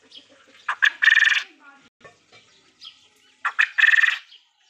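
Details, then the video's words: A quail gives two loud phrases about three seconds apart, each a couple of short clipped notes leading into a harsh, buzzy rattling burst, with faint murmurs between. "Quail Sound/Bter boli"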